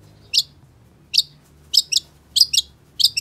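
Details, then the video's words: Long-tailed shrike giving sharp, high, rasping chips, single or paired, repeated roughly every half second in an uneven rhythm, with a low background hum. "Pancingan Cendet Gacor Cocok Buat Masteran Cendet Macet Agar BUNYI"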